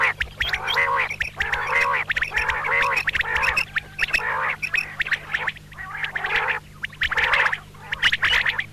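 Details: Female common quail (batair) calling repeatedly: grating, harmonic, duck-like bursts roughly once a second, the later ones breathier and noisier, over a low background hum.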